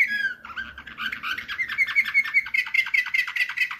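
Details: Canary in Slavujar nightingale-style song, 2024: an opening descending whistle, then a fast, steady rolling trill of repeated chirps, about two per second at first and quickening, continuing without a break.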